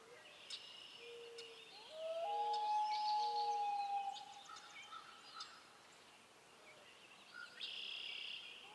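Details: Common loon giving a long, clear, steady whistled wail lasting about two seconds, with shorter lower mellow notes before and after it, while smaller birds chirp and twitter higher in the background.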